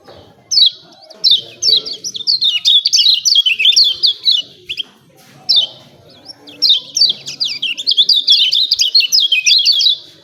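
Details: Lemon-bellied white-eye (kecial kuning), 'ciak ciak' training song to spur other birds to sing: two long, dense runs of rapid high chirps and zigzagging slurred notes, loud and energetic, with a brief gap between.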